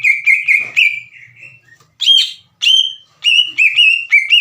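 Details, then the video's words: Lure song of a green leafbird, meant to trigger replies from untrained leafbirds: fast whistled notes dropping into a softer warble, then loud swooping whistles after short gaps. "PANCINGAN CUCAK IJO GACOR AGAR CUCAK IJO BAHAN IKUT BUNYI"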